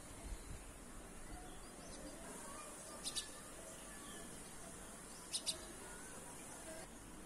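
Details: In a home garden, red-vented bulbul chicks beg while being fed. Two brief bursts of thin, high double chirps stand out about two seconds apart against a constant low hiss.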